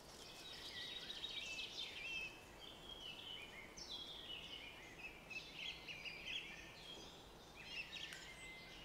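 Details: Several small birds sing at once among blooming apple trees in the Stockholm area near Arlanda airport: a busy overlapping chorus of high chirps, twitters and trills over a soft rushing hiss.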